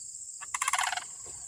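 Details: One of a pair of Sandhill Cranes near a fenced goat field gives a single brief, loud, rolling rattle, a throaty trumpeting burst of about half a second, over a steady high insect hiss.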